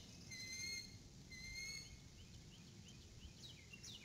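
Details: Adult female eagle calling as she arrives at the nest before leaving again: two high, thin whistled notes with harmonics about a second apart, then faint chirps over low background rumble.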